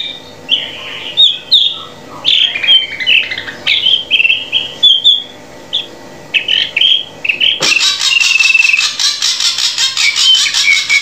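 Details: Drongo master song for captive birds: varied whistled and chattering phrases for several seconds, then a loud, rapid buzzy trill that pulses steadily to the end.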